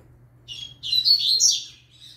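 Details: Double-collared seedeater, a young beginner singer, delivering a short, tangled phrase of high squeaky twitters and trills lasting about a second, over a faint low background hum.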